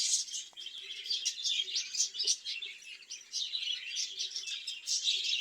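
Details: Budgerigars kept caged for breeding; softer, patchy warbling with sharp chirps and scratchy twitters, a faint low hum and a few light knocks beneath.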